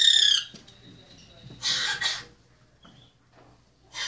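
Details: Common grackle at Willowbrook Wildlife Center, Glen Ellyn, Illinois, 2 January 2017, giving harsh raspy coughing bursts mistaken for a man coughing: one at the start, a quick double cough midway, another at the end.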